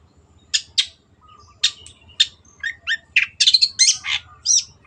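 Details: Long-tailed shrike (cendet) singing in full 'gacor' style with a clear voice. Varied high notes come in separated bursts: sharp chips, short slurred whistles and scratchy phrases that grow denser toward the end. Faint low whistles sound in the background.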